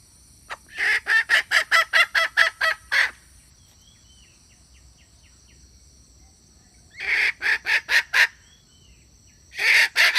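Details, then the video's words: Red junglefowl hen call meant to attract males: bursts of rapid harsh clucks separated by long quiet gaps of several seconds, with steady high insect-like hum in the background. "Suab poj qaib qus seev lau dib tuaj zoo / tiếng gà mái rừng kích bổi siêu nhạy"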